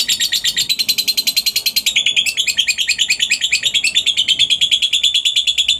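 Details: Long ngekek of a lovebird, played as a lure to get other lovebirds singing. A continuous, very high, rapid chatter of rasping notes, about six a second, holds steadily without a break.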